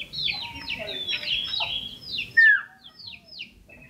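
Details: Hand-raised caged common iora, small, yellow and lively, singing loudly: a quick series of high, downward-sweeping chips, then one louder slurred whistle and a few softer fading notes.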